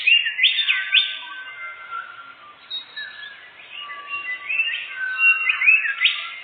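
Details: Canary singing as a bird-catching lure in a forest, bright rapid phrases of rising sweeps, high chirps and fast trills, switching patterns every second or so with brief softer gaps.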